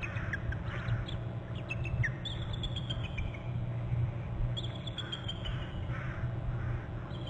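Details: Pair of bald eagles on Hornby Island on November 8, both flying in to their nest territory and trilling from high branches; thin, high, falling chitter series in two bursts, heard over constant low-pitched background hum from a territory camera.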